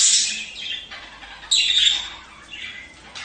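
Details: Budgerigar mating sounds, intended to make pairs breed and lay eggs: a loud raspy squawk, then falling whistled warbles and a second strong harsh call midway through.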